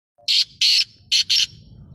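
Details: Black francolin calling: four loud, harsh, rasping bursts in two pairs within two seconds, each burst grating and broadband, over a faint low rumble.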